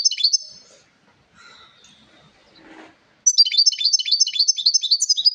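A European goldfinch sings bright, high tinkling twitters, with a quiet pause partway through before a fast rush of liquid, jangling notes.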